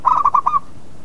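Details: Local zebra dove song used as a lure to provoke rival birds into answering: a quick run of about five soft, cooing notes near one pitch, the first stretched and the rest clipped, over in just over half a second against a quiet background.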